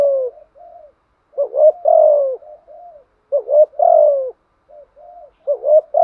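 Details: Spotted dove, a well-trained bird, gives two-part coos with soft quieter notes between phrases; each phrase a quick rising note then a long falling coo, roughly every two seconds.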